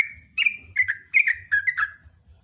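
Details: Sooty-headed bulbul singing loudly and at length, a drawn note followed by four quick bubbly phrases of slurred, falling notes, over a faint low background hum.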